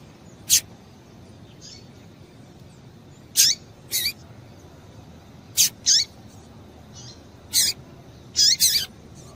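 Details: A female double-collared seedeater gives brief, bright high-pitched chip notes, singly and in quick pairs, around eight in all with irregular gaps, a call used to excite the male into song; low background hiss.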